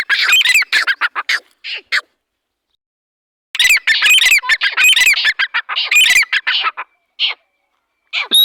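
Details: Dhakani teetar, a partridge, giving bursts of loud, harsh, chattering squawks, pausing for about a second and a half between bursts, then a short whistled note at the end.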